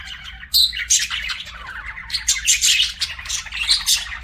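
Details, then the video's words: Budgies chirping: a short spell of quiet chatter breaks into loud, shrill squeaks and rapid buzzy warbling that carries on to the end. "BUDGIE CHIRPING SOUNDS"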